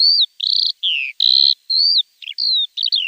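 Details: Javan bush lark tutor song to prompt untrained caged birds to respond: alternating long falling whistles and buzzy, grating notes, then quick twitters and a short down-slurred whistle, clean with no background noise.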